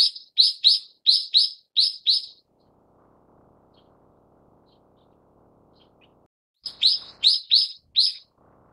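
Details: Brown-eared Bulbul (Ixos amaurotis harterti) giving loud, shrill, harsh notes in quick bursts of about eight, a pause of several seconds, then five more, over a faint low hum.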